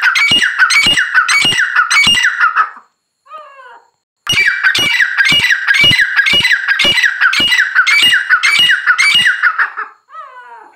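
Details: Grey francolin giving loud, harsh, rhythmic squawking phrases with sharp clicking accents, in two long bouts. Softer twittering notes fill the pauses.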